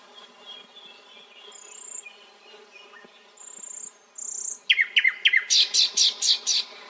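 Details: Nightingale song beginning with quiet high thin whistles, then a burst of sharp upslurred notes followed by a loud series of about six repeated rattling notes, with steady low background hum.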